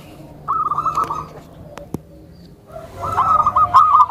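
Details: Soft calling from a tame zebra dove meant to draw other zebra doves and condition newcomers; two brisk trilled coo phrases separated by a quiet spell with a few sharp clicks.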